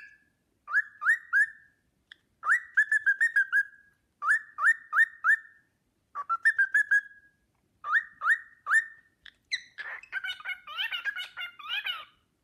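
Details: Pet cockatiel whistling the Sportpalast Waltz at length while another bird swoons; clean swooping whistles in short bursts, then a closing stretch of harsher chattering, warbling notes.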